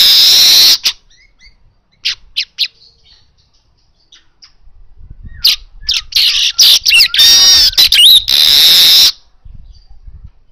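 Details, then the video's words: Asian golden weaver in full vigorous song, a natural recording meant to encourage kacer to sing: opens with a harsh buzz, scattered short notes, then a rapid chattering run of ticks and trills ending in a sustained buzzy hiss. "Manyar emas Gacor door suara alami"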